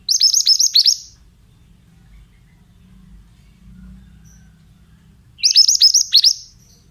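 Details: Male Oriental magpie-robin delivering two bursts of rapid piercing notes, each about a second long with six to eight descending strokes, separated by several seconds of near silence.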